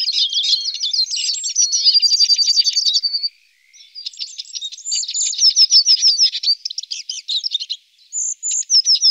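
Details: Eurasian siskin among alder cones, rapid chattering twitter with drawn buzzy notes, a brief lull, then repeated sliding whistled notes and buzzy trills.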